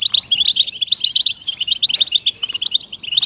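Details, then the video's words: {'caption': 'Stimulating song of the European goldfinch for captive birds: lively, tinkling twitter of quick high chirps, dense and nearly continuous, with a soft low hum beneath.'} "ESTIMULADOR DE JILGUEROS"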